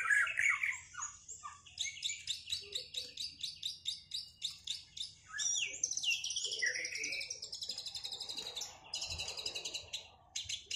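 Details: Moulted white-rumped shama dueling to regain performance: rapid repeated high chattering notes, several per second, mixed with whistled phrases and a brief rough burst near the end, over a low background hum.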